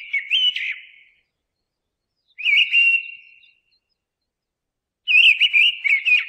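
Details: Three ringing, flute-like phrases from a mistle thrush, each a brief run of wavering whistles that trails off, separated by pauses of over a second.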